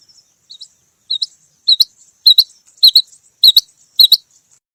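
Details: Calls from a female rain quail, used in quail hunting, come as high, clipped paired chirps at a steady half-second rhythm, building from soft to loud, against a silent background.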